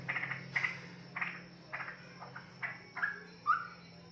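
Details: Young forest-type straw-headed bulbul, a caged juvenile, giving a series of short, evenly spaced chirpy notes roughly every half second, ending in a brighter whistled phrase, over a low steady hum.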